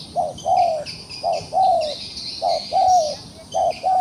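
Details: Trapped wild pigeon, still putting up a fight, calling in paired coos: a short note followed by a longer, gently falling one, the pair repeated about once a second, over insects chirring in the background.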